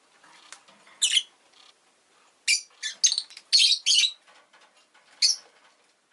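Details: A rosy-faced lovebird at home, with street noise from the city, chirps in a lively burst of shrill, scratchy notes, several close together midway, then a lone chirp.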